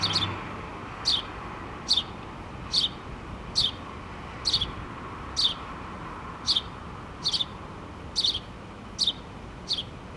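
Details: A mother house sparrow and her two babies in a pole nest, 8-3-2017. Around twelve clear, high, falling chirps, evenly spaced under a second apart above steady low noise.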